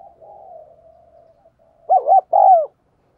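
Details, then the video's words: Spotted dove used as a decoy to draw wild doves into answering: after a soft low murmur, a loud wavering coo and a drawn-out coo that slides downward. "Chim Cu Mồi Thúc Và Gáy Gọi Rất Sung"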